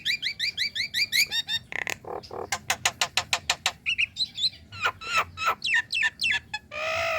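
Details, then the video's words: A female Nias hill myna calls to a male with quick rising whistled notes. These give way to loud, harsh, broadband barks repeated about three times a second, then twisting whistles. The clip ends on a buzzy, nasal note. "Kicau Jalak Nias Betina Memanggil Jantan"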